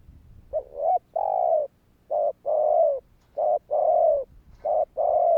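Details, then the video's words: Spotted dove calling to stir rival doves to answer: low hollow coos in pairs, a short note then a longer drawn-out one, repeated about every 1.7 seconds, four phrases in a quiet setting. "Tiếng cu gáy Thúc hay ,tiếng chim cu gáy kích bổi"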